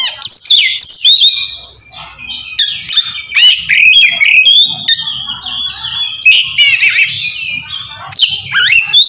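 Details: Oriental magpie-robin singing the loud kacer ngeplong song that calls out to a rival and is used to coax quiet birds; continuous varied whistling with scratchy buzzes, sharp high clicks and sliding notes.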